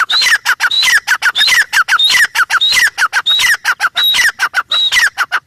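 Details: Insistent grey francolin call: loud rasping notes in tight groups, each group led by a short high whistle, repeated about every 0.7 seconds without a break.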